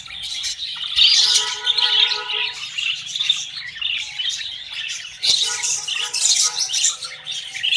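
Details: Budgerigars kept in breeding cages during their first clutch, with eggs and chicks, giving dense high chirping and squawky chatter from several birds, with a low hum beneath and a sharp click midway.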